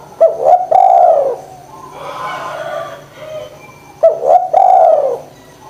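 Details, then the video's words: Spotted dove call used to coax lazy doves into calling: two complete phrases about four seconds apart, each opening with short hoarse notes and ending in a long, downward-curving coo, with a soft breathy murmur between them. "DERKUKU GACOR PANCINGAN JITU ATASI DERKUKU MALES BUNYI"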